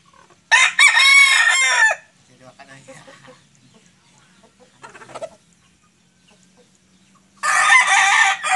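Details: White Sweater rooster without a comb crowing: a loud, harsh, drawn-out crow lasting over a second. Quieter clucking follows, and then a second crow begins near the end.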